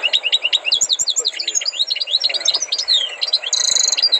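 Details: European goldfinch, a tutored bird from Tunisia, Libya, Morocco or Algeria, singing a lively, unbroken stream of high chirps and twittered trills, ending in a fast buzzy rattle.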